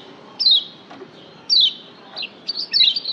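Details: A yellow white-eye (Lombok) gives high, thin, quickly falling chirps in short bursts, roughly one phrase per second, ending in a busier twittering run; used as training song to make other white-eyes sing more persistently.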